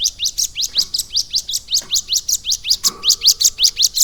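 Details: A steady stream of high, upward-flicking chirps, about three per second, comes from a caged Bar-winged Prinia trained to copy lovebird song. Faint clicks and a brief lower tone sound behind it.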